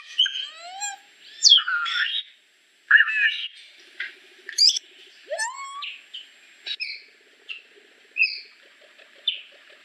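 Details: Solitary cacique song made of varied, mixed notes: sliding whistles, sharp downslurred squeaks and a rising slurred note, delivered in irregular bursts with short pauses, plus soft clicking rattles.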